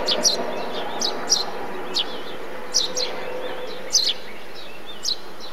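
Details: Eurasian tree sparrow in a bee-eater colony: loud, sharp chirps in pairs and singles, with softer high twitters between them and a low steady hum.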